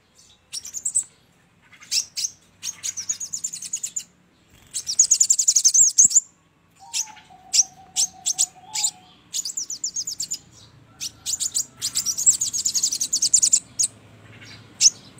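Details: Sogon call used as a trapping lure: bursts of very high, rapid chirps and trills in separate phrases, with a short steady mid-pitched whistle near the middle and a soft background rumble.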